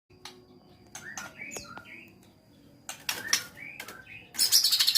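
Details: White-rumped shama in top singing form, ready for a field contest: clear whistled notes rising and sliding in short phrases, mixed with sharp clicks and brief harsh chirps, ending in a loud buzzy high burst, with a faint wing flutter.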